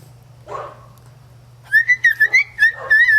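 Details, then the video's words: A Moluccan cockatoo whistles a quick, wavering run of about eight clear, slightly nasal notes after a soft breathy sound, over a low steady hum; a viewer hears it as Tchaikovsky's 1812 Overture. "The Noise Police Arrest A Moluccan Cockatoo"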